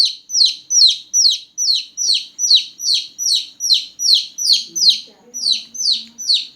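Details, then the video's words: Small newborn chicks chirping loudly at night, a rapid even series of piercing downward-sliding peeps, roughly two or three per second, with a faint low murmur near the end. "Chicks Chirping Sound || Chicks Chirping Loudly || Chicks Chirping a lot"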